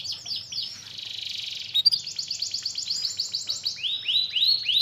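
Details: Canary song used as a lure to make a lazy canary sing actively again: high buzzy sweeps, then a fast shimmering trill, then a run of repeated clipped notes, ending in downward-curving slurred whistles.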